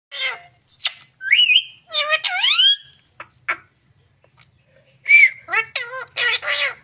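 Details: A pet green parrot talks in a quiet room, with bursts of squawky, ringing, speech-like syllables and sliding whistled notes, a pause of silence midway, then a fresh run of wavering harmonic calls and harsh bursts.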